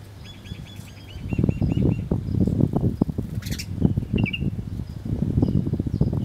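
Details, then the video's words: Wild birds feeding at breakfast time, chirping: a quick run of about nine short, evenly spaced high chirps, then loud rustling, pecking and wing-flapping with a few scattered chirps and sharp ticks. "Birds breakfasting || Birds are chirping"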